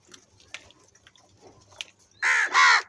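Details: Crow calling loudly while feeding: two harsh, hoarse caws back to back near the end, after faint clicks and rustling.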